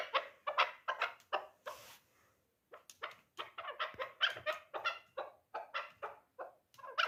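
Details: Dulan chukar partridge, a three-year-old hunting bird, calling in fast, gravelly chuk notes. A brief hiss and a pause break the series before it resumes more densely.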